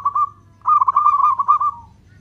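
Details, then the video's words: Zebra dove, local bird, giving its long-beat cooing to lure other doves: a brief coo, a short gap, then a sustained phrase of fast, throbbing notes on one pitch, with a low hum behind. "Perkutut lokal gacor suara ketukan panjang, cocok untuk pancingan"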